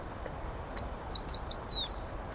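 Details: A single brisk song phrase from a meadow bunting on an everyday walking path: a jumble of high, clear, tinkling notes and a descending slurred whistle, lasting about a second and a half, against quiet background noise.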